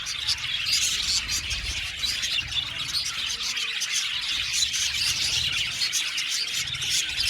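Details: Colony of budgerigars in an aviary, constant bubbling chatter of high chirps and warbling phrases, dense and uninterrupted for several seconds.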